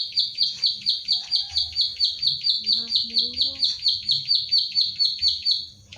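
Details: , known locally as ciblek sawah or klik klik, used as a training recording for other songbirds, recorded in Central Java on an Infinix Hot 9 Play phone. Sharp high chirps repeat steadily about twice per second, with faint low rumble beneath.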